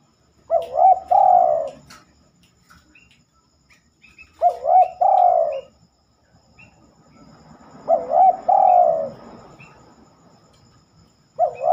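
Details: A spotted dove sings at night, something it rarely does: low cooing phrases repeated roughly every four seconds, each a quavering rising coo then a rolling, descending one, with soft background rumble.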